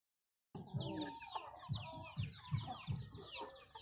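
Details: Hens and chicks eating young rice that farmers supply: a hen gives low clucks roughly every half second while chicks keep up quick, high, falling peeps.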